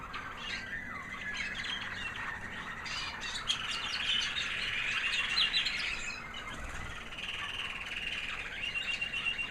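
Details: American Singer canary hen, white, proven in 2009, singing after the molt: a soft, high, sweet warble of fast chirps and trills flowing continuously, with a faint low thump midway.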